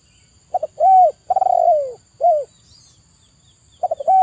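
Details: Zebra dove singing, played to coax stressed, silent doves: quick double notes lead into a smooth arched coo, then a rattling rolled coo that glides down, ending with a brief falling note. A new phrase begins at the end.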